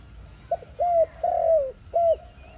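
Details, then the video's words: Lure call of an ARIMIX dove for trapping: a tiny stutter note, then three mellow coos, the middle one longest and sinking in pitch, against faint low noise. "Sound of ARIMIX dove quality sound to use for trap"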